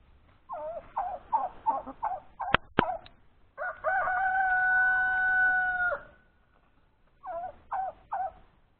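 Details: A rooster's long, sustained crow fills the middle of the recording. Around it come rapid bursts of warbling, gobble-like notes, two sharp clicks, and a further short run of similar warbled notes at the end.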